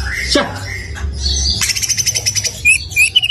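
A stone magpie sings a quick run of high whistles and rapid chattering trills, with a sharp squawk near the start and a low hum underneath.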